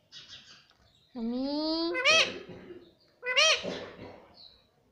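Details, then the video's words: Indian ringneck parrot kept as a pet, imitating words like mummy and papa. Two voiced, speech-like phrases each slide upward into a strained, rising peak. A faint high whistle sounds at the end. "papa bolne vala indian parrot"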